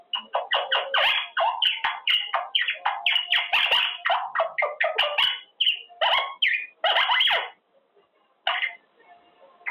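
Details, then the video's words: A male pet monk (Quaker) parakeet practising words such as "good boy", "pretty boy", "baby" and "thank you" during cage time, chattering a fast, raspy stream of word-like syllables, several per second, with short pauses near the end. "Parrot practicing words - Talking Quaker parrot"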